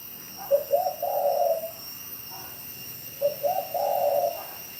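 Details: Spotted dove recorded at Bảo Lộc, Lâm Đồng, Vietnam: two soft, low phrases, each a couple of short clipped notes leading into a longer, rolling coo, with a faint steady hiss.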